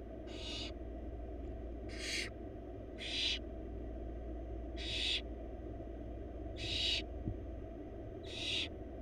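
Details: Four wild barn owl babies in a nest box while their mother brings a huge rabbit: six rasping, noisy hisses, each under a second, repeated roughly every one and a half seconds above a constant low drone.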